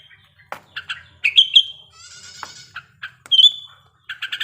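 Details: Lure song of a sooty-headed bulbul in breeding condition: sharp chirps, ringing whistled notes, and a harsher buzzy note in the middle.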